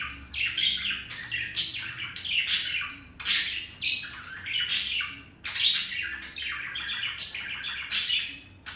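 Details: Courting male budgerigar chirps at a female alongside beak tapping: rapid clusters of high, grating chirps and sharp squeaky notes, swelling and fading in bursts about every second.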